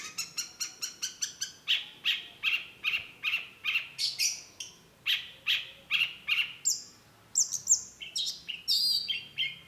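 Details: Long-tailed shrike, locally cendet, singing actively as a lure recording meant to draw an immediate reply: a fast run of sharp, clipped chirps repeated about three per second, then slower bright notes and high squeaky whistles toward the end.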